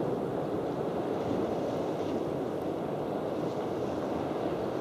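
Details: Steady coastal wind roar and distant surf filling the recording, with no animal calls standing out.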